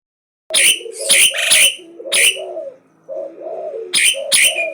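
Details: Asian pied starling singing nonstop and boldly challenging: harsh, noisy bursts alternate with lower warbled, gurgling notes in quick phrases, with a brief pause near the middle before loud rasping notes resume.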